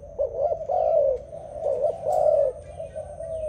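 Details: Dove singing: low, soft coos around 600 on the pitch scale, each rising then falling, in a loose repeating pattern of long and short phrases, clearly the main sound over a faint background hiss.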